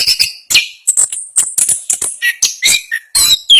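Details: Orange-headed thrush, national champion, in rolling 'ngerol' song: clipped high whistles and chirps in quick succession, a few lower slurred notes, closing on a sharp rising squeal.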